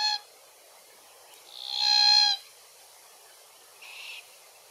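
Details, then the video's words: Glossy Black-Cockatoos, Calyptorhynchus lathami lathami, feeding in Capertee Valley on Allocasuarina verticillata seeds. A loud drawn-out creaky, harmonic call lasts under a second, preceded by a clipped call and followed by a fainter, softer one. "Glossy Black-Cockatoos in Capertee Valley - Includes calls and feed tree identification"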